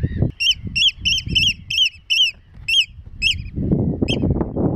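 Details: Eurasian oystercatchers at Terschelling, the Netherlands, on grassland and mudflats; loud, sharp piping notes, each arched and ringing, repeated about eleven times in quick series of two to three per second, over low rumbling background noise.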